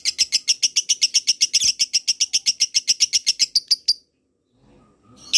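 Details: Lovebird ngekek trill meant to draw a reply from other lovebirds: a quick, rhythmic burst of piercing high notes for four seconds, then a pause and one more sharp note.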